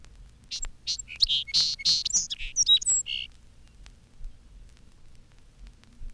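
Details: Song Sparrow in spring, singing from roadside bushes, gives an enthusiastic quick burst of sharp notes, buzzy trills and slurred whistles with a burr to it, about three seconds long, then falls quiet.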